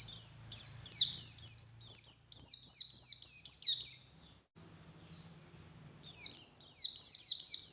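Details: Morning lure song of a white-eye in lively form: rapid series of high, sweeping downward whistles repeated several times a second, a short pause of near silence, then the sharp whistles resume.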